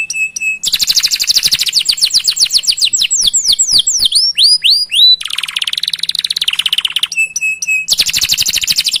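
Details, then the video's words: Canary song to coax other canaries into singing: a whistled note, long runs of rapid chirps with varied sweeps, a buzzy rolling trill, and a return to fast chirping. "Masteran Suara Burung Kenari Gacor Panjang Cuit - Cuit Ngerol || Cocok Untuk Memancing Kenari Lain"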